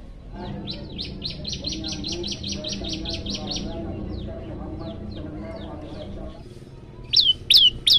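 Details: Olive-backed tailorbird (prenjak lumut), hungry and singing actively with long call runs, gives a fast series of sharp high chirps, about 162 a minute, then scattered notes and a few loud whistled calls at the end over low background murmur.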